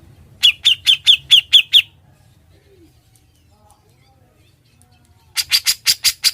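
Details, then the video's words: Grey-cheeked bulbul (cucak jenggot) in a ngebren, gacor master recording for training other birds: six quick downslurred whistled notes in a row, about three seconds of near-silence, then six harsh buzzy bursts. "Suara burung cucak jenggot, gacor & NGEBREN"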